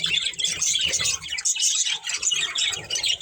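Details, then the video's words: Budgerigars from a breeding pair chattering in busy high chirps and buzzy warbles, with low rustling underneath and a short lull around one and a half seconds. "Beautiful Budgies Chirping Sounds"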